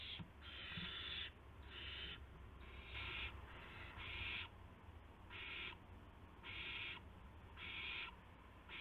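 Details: Owlets at the nest after midnight, March 19, 2016, as adults deliver prey; loud, harsh hissing bursts, about a second apart, each with a rough, grating texture.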